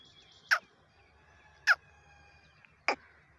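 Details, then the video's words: Quail in jungle, 6/1/2021, gives three short, harsh, burst-like notes about every 1.2 seconds, with faint steady insect or bird tones behind. "Rani quail sound in jungul Chinga ki Awaaz"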